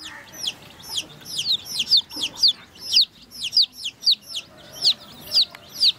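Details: Baby chicks at a water drinker give clear, high, downward-swept peeps, about two per second, loud and regular against soft background rustle.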